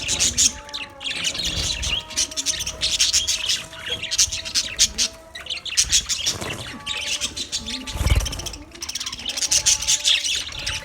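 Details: Colony of budgerigars chattering nonstop, a thick wash of high scratchy chirps and squawks rising and falling in waves, with a brief lull near the middle and a faint steady tone beneath.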